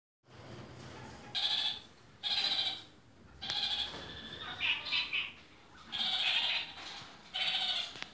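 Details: Red-crowned parakeets (kakariki) of various colour varieties, kept birds, giving loud nasal chattering calls in bursts of about half a second, repeated roughly every second with short pauses between.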